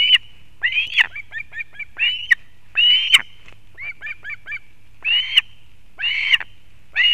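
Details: Female osprey arriving with fish for the chick at a nest in Kurzeme, Latvia, 31 August 2024: loud drawn whistled calls broken up by quick runs of short chirps, fairly continuous throughout.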